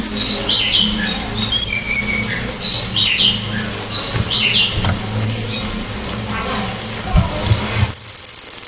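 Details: Cililin song in the sharp burst style called tembakan, loud, sharp and clear, meant for tutoring songbirds such as green leafbirds and white-rumped shamas: high squeaky chirped notes in quick short phrases over a steady low rumble, a harsh noise burst near the end.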